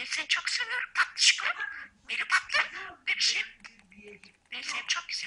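A budgerigar talks in quick, high, raspy word-like bursts, strung into short chattering phrases with brief pauses between them.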